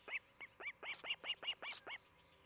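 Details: Osprey calling at its nest in Charlo, Montana, recorded by a cam on a July 2018 morning: nine loud, high, downward-curling cheeps delivered rapidly within two seconds.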